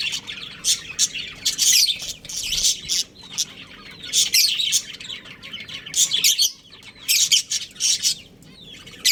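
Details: Chirping budgies from a breeding pair pour out clustered, buzzy high twitters in bursts of one to two seconds, separated by brief lulls.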